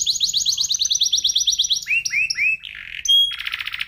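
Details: Canary of the F1SF strain recorded as training song for other birds: quick rolling trill, three rising-falling whistles, a buzzy phrase, a high pure note and a dense buzzy burst.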